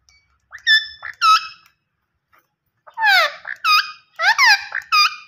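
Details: Talking green ringneck parrot. Two short nasal squawks open the clip, then a quiet gap, then a run of raspy, swooping syllables, each followed by a bright clipped note, delivered quickly in a small indoor space.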